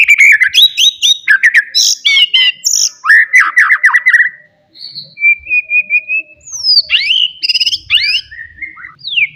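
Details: Wild white-rumped shama from forest, singing loudly to provoke rivals: rapid varied phrases of bright whistles and chattering notes, a sustained level whistle mid-way, then sweeping downslurred whistles.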